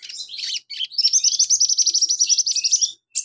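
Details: A lively sunbird (konin), recorded as training audio for other birds, sings a fast, high, twittering song: scratchy chips open into a rapid run of thin, sharp notes, about four per second.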